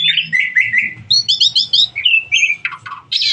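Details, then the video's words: Starling in full, lively song: fast varied phrases of slurred whistles, rapid warbling trills and harsh squeaky notes that jump between pitches, delivered almost without pause. "burung jalak paling gacor"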